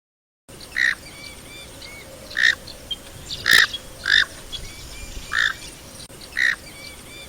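Knob-billed duck giving six short, harsh, nasal bursts at uneven intervals of about a second, with faint thin whistles of other birds behind.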